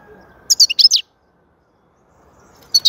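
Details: European goldfinch singing: a quick burst of high, bright twittering notes over about half a second, then silence, then a second short twittering burst near the end.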